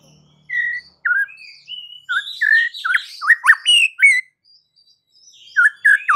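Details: White-rumped shama singing a varied run of loud whistled and slurred notes, some sharp and falling, with short pauses between bursts and a soft high background twitter.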